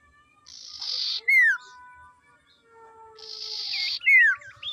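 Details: Lure call of a female common iora to draw and excite males: a harsh buzzy rasp, then a loud falling whistle. The pair is given twice, with faint thin whistles from other birds between.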